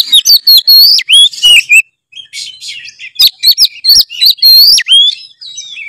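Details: Lure song of a gacor Oriental magpie-robin to start reluctant birds singing: forceful, fast sequences of ringing whistles, steep swoops and rasping notes, a short pause, then another loud burst.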